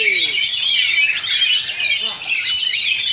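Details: Contest duel of Oriental magpie-robins at a Sunday practice event in Sindanglaut: a continuous, busy stream of high whistles, trills and sharp chirps from competing birds, with no gaps.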